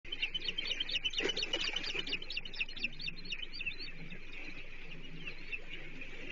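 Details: Osprey at a Chesapeake nest in July 2023, during the sixth fish delivery of the day, half a blueback herring; rapid high chirps in a dense run, many overlapping, fading toward the end over steady background hum.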